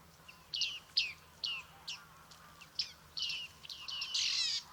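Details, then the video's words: Bearded reedling in Liepāja, Latvia, July 2023, giving a run of ringing 'ping' calls, each a sharp note dropping in pitch, about two per second, ending in a denser burst of overlapping notes. "BĀRDZĪLĪTE / Panurus biarmicus"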